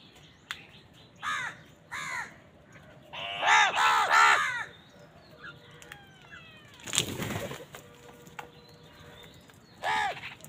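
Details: Crows squabbling on a winter morning: single caws, then a rapid burst of overlapping harsh calls, a loud broadband crash, and thin faint whistles.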